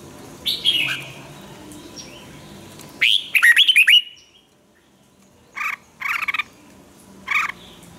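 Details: Red-whiskered bulbul song used for song training: two bright warbled phrases of rising and falling notes near the start and middle, then several short buzzy bursts later, over faint background hiss.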